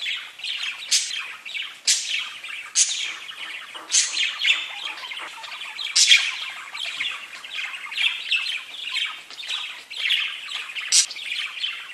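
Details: Content parakeets singing to one another: an unbroken babble of high chirps and warbles, cut through by loud, clipped squeaks that recur almost every second.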